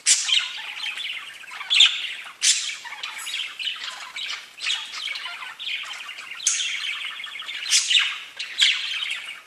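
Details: Several pet budgerigars chatter continuously, mixing scratchy warbled notes with sudden loud squawks repeated every second or two, all high-pitched with no background noise.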